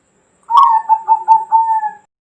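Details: Bangkok zebra dove from 2020 delivering a clear phrase of a sharp opening note, four pulsing mellow coos, and a long level ending note, lasting about one and a half seconds.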